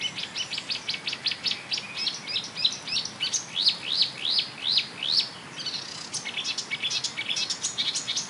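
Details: Marsh warbler singing in May 2013 beside a railway embankment at Bernau-Friedenstal, Germany, imitating tit, blackbird, lark, goldfinch and starling; rapid high chattering phrases, repeated downward-sweeping notes in quick series, varied and continuous.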